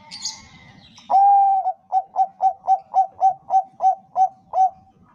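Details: Bangkok-type zebra dove singing a lure phrase for other doves: a long smooth coo followed by about eleven short, evenly spaced cooing notes. Higher chirping sounds just before the song starts.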